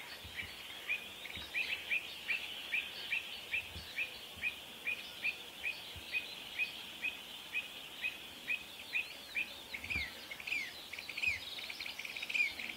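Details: Pied avocets guarding their chicks during a territorial dispute, giving a long, insistent series of clipped, piping notes about twice a second against a constant high hiss.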